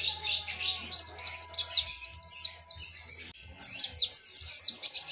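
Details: Mountain white-eye tutor recording of ngalas-style song full of tembakan bursts: continuous high, sweet chattering of fast downslurred notes, with a brief pause just past three seconds, and a low background hum.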